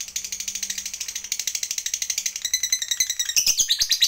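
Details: Fighter lovebird delivering its long 'ngekek' chatter as a lure for other lovebirds; a rapid, rattling, high trill with regular pulses, turning harsher and louder in the final second.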